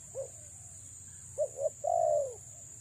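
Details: After a faint single coo, a female spotted dove used as a lure gives two short hollow notes and a long trilled descending coo, against constant high-pitched hum.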